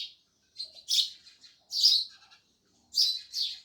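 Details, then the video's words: Loud sparrow chirps, sharp high notes in irregular bursts of one or two, with soft twittering between them and gaps of quiet. "Sparrows Loud Chirping Sounds"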